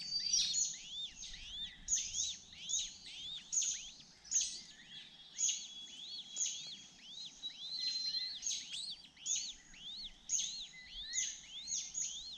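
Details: The hungry youngest honey buzzard chick, which missed out on bee pupae, begs with thin, high, arched chirps in quick overlapping bursts about every half second over steady background hiss.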